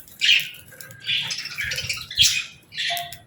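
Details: Budgerigars during evening feeding time give short scratchy chirp bursts about every second, separated by brief quiet gaps, over faint rustling.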